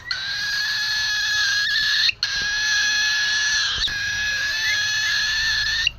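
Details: Cockatiel crying noisily when hungry: a loud, harsh, continuous rasping screech held for about two seconds at a time, briefly broken twice, then resuming with the same grating tone.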